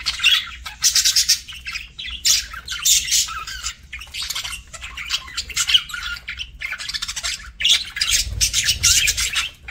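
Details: Budgie calling during a meal: rough, buzzy squawks in rapid clusters separated by brief pauses, loud and busy throughout, a low thump near the end.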